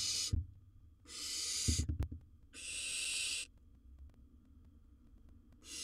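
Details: Harsh breathy hisses, each lasting up to a second, from a wild barn owl in a nest box while it swallows large prey, with a few sharp knocks between the first two.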